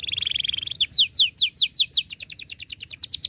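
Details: Canary song for teaching young canaries, with cuit cuit notes and close rolling: a steady high rattling trill, then a run of loud downward-sweeping chirps repeated about every tenth of a second, slowly speeding up.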